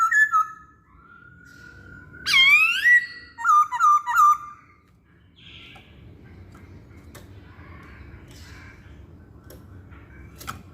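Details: Masked laughingthrush song used as a lure for other birds: soft whistles, a loud sweeping note, then three quick whistled notes, followed by several seconds of faint background noise.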